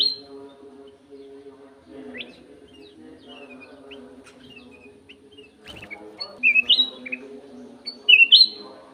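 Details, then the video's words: Captive golden-fronted leafbird in an aviary: soft, scattered whistled notes at first, then two louder bursts of bright, sharply slurred whistles near the end, with a low continuous hum underneath. "BURUNG CUCAK EMAS SUARA JERNIH"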